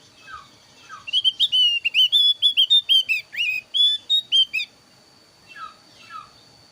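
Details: Varied Javan grey-throated white-eye song used as a lure and tutor: two soft descending chips, then a rapid, uneven string of about eighteen loud whistled slurs over three and a half seconds, followed by two more soft downslurred chips.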